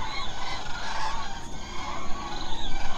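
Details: A large flock of common cranes at night in the Hula Nature Reserve wetland, Israel, makes a dense, overlapping chorus of bugling, honking calls, with a steady low rumble underneath.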